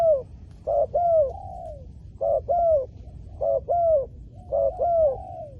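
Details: Spotted dove cooing for luring wild doves on the ground. Four similar phrases come about every 1.5 seconds, each with a short coo and then a longer, smooth, falling coo. Steady low hum behind.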